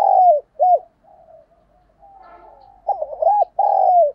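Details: Spotted dove as a decoy bird, cooing to attract wild ones: a long downward coo and a short arched note, soft low murmurs, then a rapid pair of arched notes and a final long falling coo.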